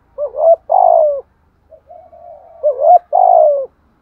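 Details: Spotted dove used as a decoy, cooing in the thúc gù bài lối pattern: a short rising note followed by a long, gently falling coo, repeated twice with a faint low note between.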